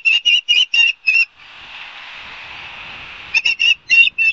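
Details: Osprey call from Barnegat Light, New Jersey, September 5, 2022: five clear, shrill whistled notes in quick succession, a pause filled with breathy hiss, then another burst of piercing chirps.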